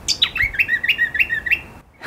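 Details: A Mangrove Gerygone in coastal mangroves at Coffs Harbour, calling to let others across the mangrove know where it is, gives a sweet, high descending run of about eight clear whistled notes, slowing into a wavering trill over quiet background hiss.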